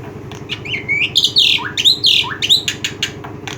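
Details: Black-winged myna giving loud, harsh squawks mixed with rising whistled slurs and clicks, in quick uneven bursts over a steady low mechanical hum.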